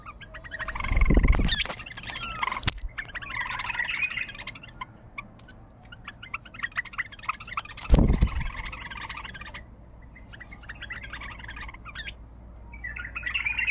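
A bulbul sings short bubbly, warbling phrases with pauses between them. Low thumps and handling noise are heard at times.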